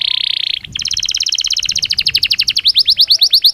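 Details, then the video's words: Belgian canary singing naturally, recorded for daily stimulus to train canaries; a steady buzzy tone breaks into a long, fast trill of repeated high notes that grow louder and more spaced toward the end. "Canario Belga Cantando Naturalmente"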